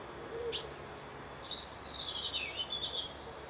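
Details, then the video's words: Wild bird at a lodge beside a loch near Dundee, Scotland, in a peaceful rural setting: a sharp high chip, then a long thin whistled phrase sliding gently downward, with faint low background hum. "Birds whistling"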